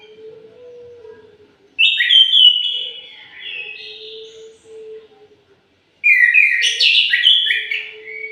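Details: Orange-headed thrush, morning: two loud phrases of sweet whistles and quick slurred notes, separated by a quiet stretch, with a faint steady low tone running underneath.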